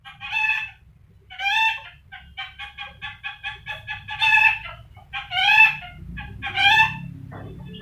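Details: Rainbow lorikeet mimicking a hen's clucking, used as a training recording for birds: loud harsh cackles alternate with runs of quick, even clucks, about one burst per second, over a faint low hum.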